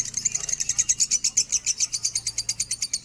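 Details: Minor lovebird in standard-pitch song, used for tutoring other birds: a fast, even run of shrill, high chirps pulsing several times a second without pause, over a quiet low background hum.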